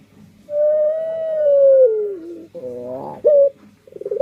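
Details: A single long, smooth coo from a puter pelung dove, holding level and then sliding down at the end, followed by short throaty rolled notes.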